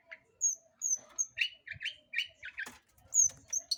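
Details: Song of a long-tailed shrike used to provoke other birds: thin high whistles alternating with lower throaty chirps in a rapid, uneven sequence, with a single sharp click midway.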